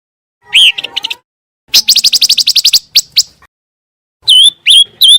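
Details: Scarlet minivet sound used to train contest oriental magpie-robins: a slurred whistle with chips, a rapid buzzy series of about ten repeated notes, two sharp notes, then three wavering whistles.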